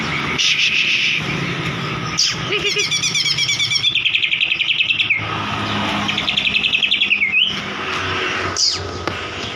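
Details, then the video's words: White-rumped shama song used as a lure to provoke a silent bird into singing: bright high whistles, then long runs of rapid repeated chips and a trill ending in a downward slur, over a steady low hum. "Suara Pancingan Burung Murai Macet DIJAMIN NGOTOT"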